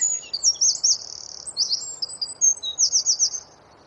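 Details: High-pitched wren song for training songbirds, tembakan rapat style: bursts of rapid, sibilant trilled phrases separated by short pauses, finishing with an even run of clipped repeated notes before silence.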